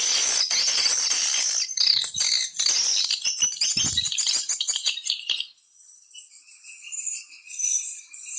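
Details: A swiftlet lure recording for nesting houses, opening with dense high chattering chirps that thin out and stop after about five seconds, leaving a faint, thin high trill and soft twitter in the background.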